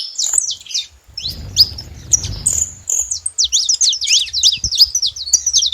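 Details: At a feeder, saffron finches give scattered sharp chirps, then a brief rustling noise, and then a fast, crowded run of high slurred notes toward the end.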